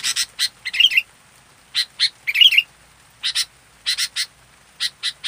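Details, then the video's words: Local sooty-headed bulbul, fully active, gives clipped bright chip notes in quick pairs and triplets, broken by two short bubbly warbled phrases, over a quiet background. "Masteran Burung Kutilang Lokal Full Aktif"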